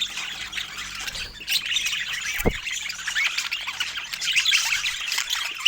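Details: Fruit-eating pet budgerigars keep up a busy, overlapping twitter of high chirps, with one brief low thump partway through.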